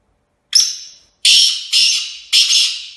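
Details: Black francolin, locally called kala tetar, a kept bird. A sharp high note leads into three raucous, buzzy, grating bursts repeated at roughly half-second spacing. The clip stops on the last burst.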